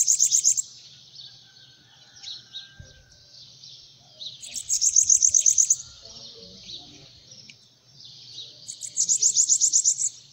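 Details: Three separate phrases of very high, rapid, sparkling notes from a bananaquit sitting on a hand, spaced about four seconds apart. Thin hissing notes fill the gaps, with a steady low hum behind.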